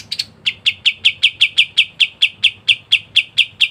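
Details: Cotton bird, the kapas tembak white-eye, singing gacor: a steady string of about fifteen crisp chirps, each a short sharp note repeated every quarter second after two brief opening notes.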